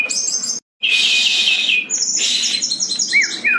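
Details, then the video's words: Actively singing brown-chested jungle flycatcher, meant to prompt quiet birds to sing; high chattering notes, a long harsh buzzy stretch after a brief gap, then rapid twittering and two swooping whistles. "SRDC GACOR SANGAT COCOK UNTUK PANCINGAN SRDC MALAS BUNYI"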